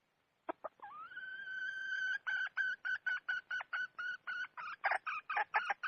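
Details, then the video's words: Wild red junglefowl hen calling: a long, steady whistled tone held for over a second, then a fast series of about fourteen sharp, clipped clucking notes at roughly two to three per second, growing slightly louder, on a quiet background. "Suab poj qaib qus seev zoo heev"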